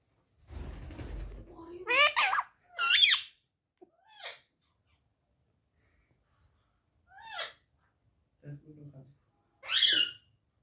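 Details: Pet Indian ringneck parrot talking, repeating "mitu mitu" indoors: several short separate bursts of squeaky, harsh mimicked syllables with pauses between, plus a brief low rustle near the start.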